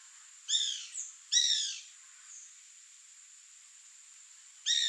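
A bananaquit gives short, high, buzzy-wheezy phrases, each about half a second, three in five seconds, over a steady thin insect hum.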